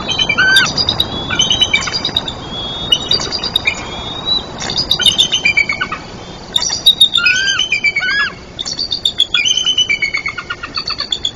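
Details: Bald eagle family at a tree nest in Trempealeau, Wisconsin, on 23 June 2024, calling at 4:13 am: an 81-day-old eaglet starts squeeing and wakes its 77-day-old sibling and both adults. High, thin chittering notes and piping squees in rapid bursts throughout.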